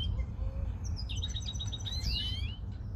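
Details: Short European greenfinch phrase of quick ticking notes building into a bright descending-then-rising whistled flourish, heard over a soft low background noise.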